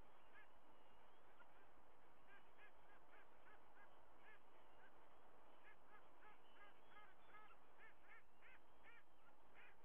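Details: White-bellied sea eagle mother sheltering her chicks under her wings at a nest in Australia, August 24, 2022; a quiet series of short, harsh honking notes repeated in quick rhythmic bursts over steady background hiss.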